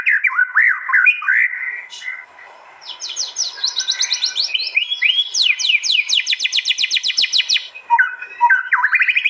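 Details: White-rumped shama in East Java, phone-recorded at a song contest in fierce 'tembakan' style. Slurred whistles open, then accelerating series of sharp downward-sweeping high notes fired in rapid succession, closing with rising whistled notes.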